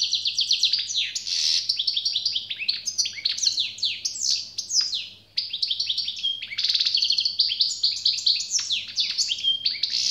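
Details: Goldfinch delivering an extended, generous song: a nonstop cascade of fast twittering chirps, buzzy trills and sweet whistled notes with one brief break midway, faint low hum throughout.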